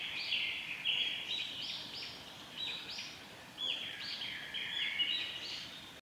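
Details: Japanese paradise flycatcher pair at an active nest, changing over duties, on a forest road by Lake Miyagase, Japan, on 26 June 2016: a series of harsh, buzzy notes with rising and falling strokes, over steady forest background noise.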